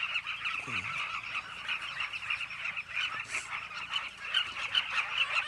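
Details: A dense chorus of southern carmine bee-eaters back at their nesting holes in a bank of the Zambezi River, Zambia: many overlapping rolling, throaty calls blend into a steady, busy chatter with no pause.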